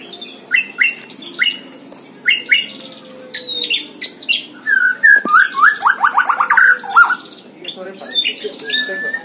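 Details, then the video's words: Hanging-cage white-rumped shama in full song: short, sharp two-note whistles repeated several times, then a rapid stuttering trill of clear notes and a few scattered high chips. "GANTANGAN MURAI BATU || GACOR DORRRR | BIKIN HEBOH | MASTERAN MURAI BATU"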